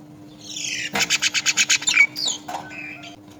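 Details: Myna at the nest as the mother feeds her young: a loud rapid burst of about eight harsh chattering notes, then squeaky rising and falling calls, with a steady low hum underneath.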